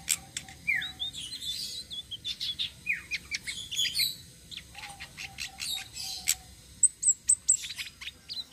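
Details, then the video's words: Flowerpecker, the citrine blue-shawled type, giving a rolling song used as a lure for other birds: scattered high twitters and sharp ticks with a few quick descending slurs. "BURUNG TLEDEKAN SITRUN SELENDANG BIRU NGEROLL||BISA BUAT PANCINGAN"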